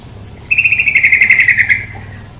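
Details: A female sooty-headed bulbul delivers a crisp rapid rattle of roughly fifteen pulses over about one and a half seconds, level in pitch, with a gentle flowing-water hum underneath.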